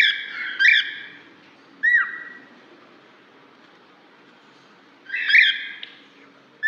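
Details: A cockatiel calling to another, used to lure a lost cockatiel back, gives three loud, ringing contact calls: a harsh, buzzy screech, a clear whistled note that drops and levels off, then another screech after a pause.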